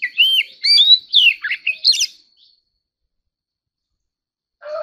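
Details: Oriental magpie-robin in fighting song, a quick phrase of clear whistles, up-slurs and buzzy chips lasting about two seconds. Silence follows, then a brief lower sound at the end.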